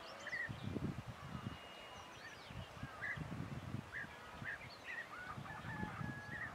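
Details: European bee-eaters in the wild in Kashmir, where they are known locally as Tulri Khaaw, give soft, rolling, liquid 'prruip' notes, scattered and overlapping, over a heavy low rumble of wind or handling noise.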